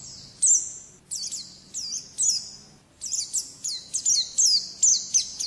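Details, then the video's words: Sharp, high 'ngalas'-style phrases from an Oriental white-eye (pleci), each a quick downward-slurred chirp, repeated about twice a second after a short pause, getting faster toward the end. "Suara Burung Pleci Ngalas Burung Kacamata Durasi Panjang"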